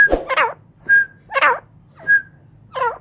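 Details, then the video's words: Several captive grey francolins exchange calls: short piercing whistles interleaved with rapid, twisting warbled phrases, roughly three per second overall, against a low electrical hum. "Mairay Teetar Ki Awaz"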